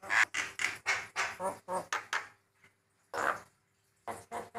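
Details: Male white-eyed Javan myna with song variations that set other mynas calling: a run of squawky, harsh notes in quick succession, a pause, then one loud rasp and a few more.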